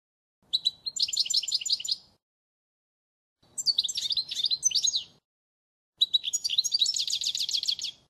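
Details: European goldfinch singing a flawless model song for young birds to learn. Three phrases: first a fast pulsed series, then a tumbling liquid twitter, then mixed chatter ending in a rapid trill, with pauses between.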